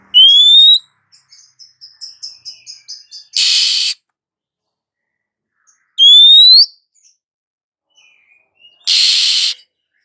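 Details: Female Oriental magpie-robin calling a male. Bright rising whistles, a quick series of accelerating ticking notes, and two harsh, hissing rasps between the whistles.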